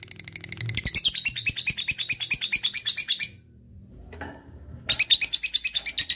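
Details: Lovebird delivering ngekek, a long chattering song: three seconds of rapid scratchy chirps, a pause with a brief rustle, then the rattling chatter returns.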